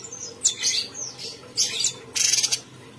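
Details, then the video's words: Cucak cungkok bulbul in a cage, singing steadily: a few slurred, falling whistled notes followed by a short buzzy pulsed rattle, with quiet gaps between phrases. "Burung cucak cungkok Gacor"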